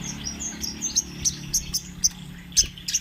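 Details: Spotted 'trotol' crimson sunbird in lively rolling song, kept as a training master for other birds: sharp, very high ticking chirps repeated about every quarter second, with a soft low hum underneath.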